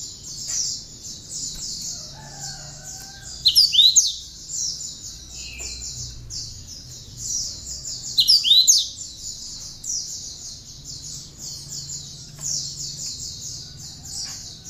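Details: Cinereous tit song mixed with bar-winged prinia notes, used as tutor material for songbirds: a continuous high buzzy trill, broken twice by short bursts of loud, sharp whistled slurs.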